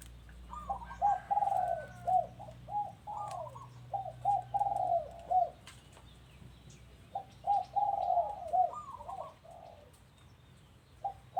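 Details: Rhythmic cooing from a dove kept at a home: a lengthy string of rolling, bubbly notes, a pause, then another phrase. A low hum sounds at the start.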